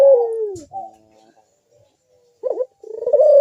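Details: Puter dove in manggung song, used to prompt other doves to sing: a strong falling coo ends the phrase, then after a silence a wavering note and a rising drawn coo begin again.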